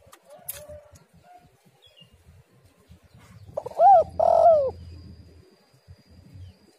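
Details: Spotted dove, female call played as a lure: a single loud phrase of one arched coo then a longer, bending coo, with low rumbling noise underneath and quiet clicks before.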